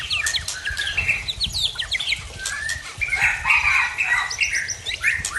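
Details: White-rumped shama of original Tangse, Aceh stock singing aggressively after moulting: varied loud whistles, slurred phrases and sharp chips that change quickly from note to note.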